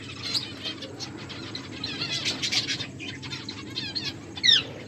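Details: Eating finches give short, high twittering bursts, a busier patch of chirps midway and a sharp rising note near the end, over a faint low hum.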